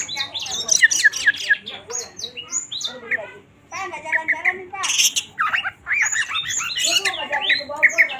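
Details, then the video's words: Kacer, or Oriental magpie-robin, singing hard in gacor style as a lure for other birds: rich, varied phrases of clear whistles, rattles and buzzy chatter, delivered in dense bursts with brief gaps. "Kacer gacor full emosi tinggi"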